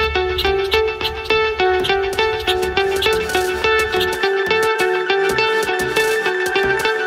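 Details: Guitar music with plucked notes and steady rhythmic strums, with no bird or other animal sound.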